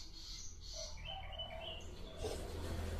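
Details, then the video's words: Sikatan londo flycatcher giving a short active phrase of high chirps and descending whistled notes, with low rumbling noise behind. "burung sikatan Londo asik aktif"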